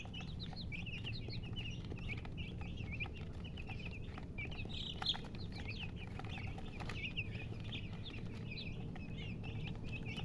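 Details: Colored chickens chirping: a busy stream of high, thin peeps, some rising and some falling, packed closely throughout, with one soft knock midway and low steady hum.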